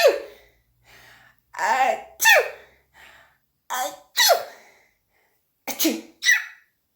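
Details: A pet cockatiel that mimics its owner's sneezes and coughs gives a run of short, explosive sneeze-like bursts, about seven in seven seconds, some with a breathy hiss. There are faint sounds between them.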